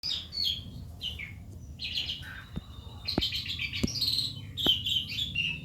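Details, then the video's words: Calandra lark learning its song, kept as a lure bird: bright chirps and twittering phrases around high pitch, several sharp clicks, over a steady low hum. "calandra belajar bunyi cocok buat pancingan"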